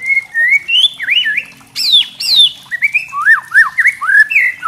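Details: White-rumped shama (murai trotol) singing kretekan to provoke other shamas: varied loud whistles, looping up-and-down slurs, two sharp high downswept notes, then rapid rising and falling whistled phrases.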